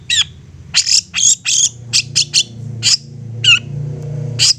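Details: Long-tailed shrike giving provoking lure song to prompt other shrikes to answer: spaced harsh rasping bursts and one slurred whistle, over a faint low hum.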